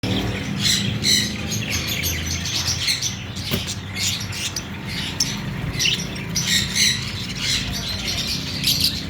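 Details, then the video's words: Fischer's lovebirds chirping together, a dense stream of short, sharp high chirps and squeaks overlapping continuously, with steady low background rumble. "Fisher love birds Talking ||Lovebird sound||Chirping Sounds"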